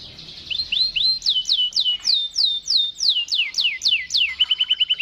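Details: Waterslager canary giving a long rolling song: a run of loud swooping whistles, each falling sharply, repeated about three times a second, ending in a fast bubbling trill.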